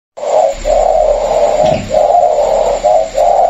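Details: Caged Vietnamese spotted doves, a pair offered together: a former decoy bird and a newly caught wild bird. Steady low cooing in long, joined phrases with short breaks, indoors, with a faint hum behind.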